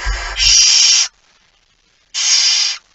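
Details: A male barn owl arrives with a mouse late at night, 17 September 2019; two long harsh hissing screeches about a second apart, the first preceded by low rumbling movement.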